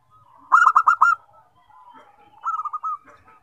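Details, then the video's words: Local zebra dove singing so others join in: a loud burst of quick pulsed cooing notes rolling into a trill, a soft murmuring pause, then a quieter repeat of the trilled phrase. "SEKALI BUNYI PERKUTUT LAIN JADI RAME"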